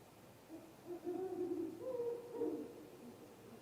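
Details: Great horned owls at dawn on a nest cam, 20 March 2022, reacting to a strange unidentified noise: low, mellow hoots running together over about two seconds, with a faint hum behind.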